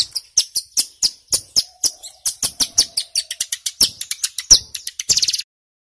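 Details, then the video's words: Male mountain prinia (ciblek gunung) in loud, rapid 'ngebren' song, used to lure and provoke wild birds; a fast run of sharp, very high chips and descending whistles, about four per second, ending in buzzy trills. "Suara CIBLEK Gunung GACOR PIKAT - Pancingan Ampuh Bikin Ciblek BAHAN Cepat EMOSI Bunyi NGEBREN"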